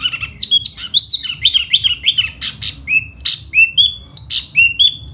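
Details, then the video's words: Laughingthrush singing in spring, a fanning display song; bright whistled slurred notes, rising and falling, strung together in a quick lively phrase with sharp chips between them. "Mùa xuân xem chú tiểu mi hót xoè rất hay"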